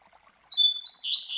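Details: Master Double-collared Seedeater (Coleiro) singing the classic Tui Tui Zel Zel style, used to tutor young Coleiros and Papa-capins; clear high whistled notes, then a long buzzy warbled phrase wavering downward, with a quiet background.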